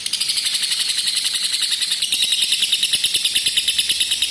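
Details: Lovebird long ngekek trill, used as a lure and master to teach lovebirds long pulling trills: continuous, very high, rapid rattling chatter of evenly pulsed notes without a break.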